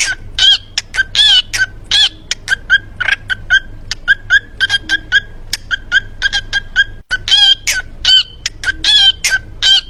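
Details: Parrot at a farm in Gujrat repeating a word, likely "cookie", over and over in short, harsh, nasal bursts at an uneven pace, with a faint low hum behind.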